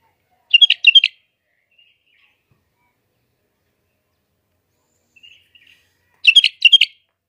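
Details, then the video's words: Bulbuls singing in Iraq: two short bursts of bubbly, warbled notes, each a quick cluster of three or four syllables, separated by several seconds of silence with faint soft chirps between. "تغريد بلابل العراق"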